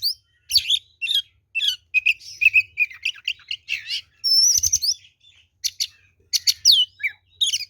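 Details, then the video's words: Oriental magpie-robin in an energetic fighting song used as a lure, a near-continuous stream of varied whistles, slurred sweeps and scratchy chatter, with a long high clear whistle midway. "SUARA BURUNG kacer gacor NGEPLONG TARUNG ini paling AMPUH buat PANCINGAN kacer NYAUT EMOSI"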